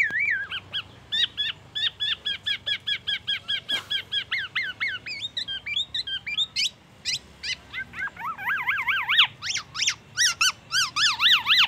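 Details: Mimicry by a black-naped oriole of oriental magpie-robin song and an ambulance siren: a long run of rapid repeated chips, then rising-and-falling zigzag whistles that grow louder and wavier, like a siren.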